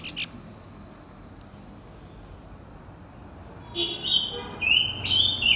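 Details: Male and female blue-winged minla in a lure song meant to excite wild birds. After a long near-silent stretch come several short, high whistled phrases that slide and waver, with soft clicks.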